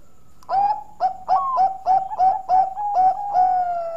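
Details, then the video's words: Zebra dove, Bangkok type, singing loudly and melodiously. Rapid throaty coos come in pulses about three per second, each with a breathy edge, and merge into a sustained, gently falling coo at the end. "Burung Perkutut Bangkok Suara Merdu"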